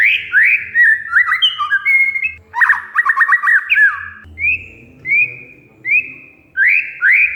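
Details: Oriental magpie-robin (kacer), lure audio to prompt a mute bird to sing: rich whistled phrases and a fast stuttering trill, followed by evenly spaced rising whistles repeated about every 0.7 seconds.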